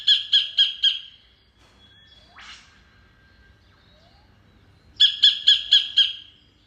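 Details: Sacred kingfisher giving repeated harsh, clipped notes in quick runs of four and five, separated by a pause with a brief rising sweep in the background.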